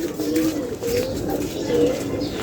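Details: Pigeon described as seven years old, cooing softly in low repeated phrases, each a brief rising coo, with light background noise.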